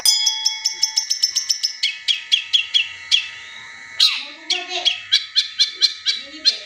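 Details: Long-tailed shrike (cendet) singing bursts that imitate the tengkek buto, used as a lure to get other caged birds singing: a fast string of sharp high notes, then slower spaced buzzy chips after a short pause.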